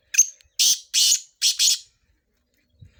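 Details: Kala tetar, the black francolin of Sindh, used for chakree training. A thin whistled onset leads into four coarse, hissing, evenly loud bursts grouped in pairs, then quiet with a faint low thump.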